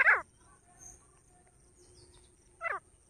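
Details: Grey francolin calling: two loud, harsh notes that sweep downward, one at the start and one near the end, with quiet background between them.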